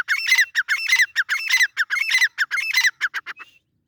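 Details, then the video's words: Grey francolin, known locally as teetar, giving a loud harsh repeated call: rapid bursts of squawky, rasping notes about four times a second, rising in clusters then trailing off after three and a half seconds into quiet. "Teetar Awaz | Grey Francolin Natural Pheasant Voice Sound"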